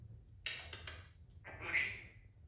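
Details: Merlin, a happy pet Timneh African grey parrot, gives two harsh, raspy squawks about a second apart, the second longer and slightly more tonal, over a low background hum.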